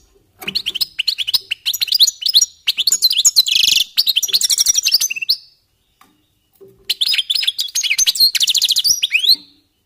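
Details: European goldfinches warming up their song: rapid tinkling, twittering phrases of high chirps, trills and buzzy notes, delivered in two long bursts separated by a short pause.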